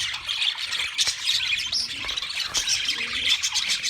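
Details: Dense chorus of wild budgerigars, shrill chirps, squeaks and buzzy warbling notes tumbling together from many birds, with a few sharp clicks.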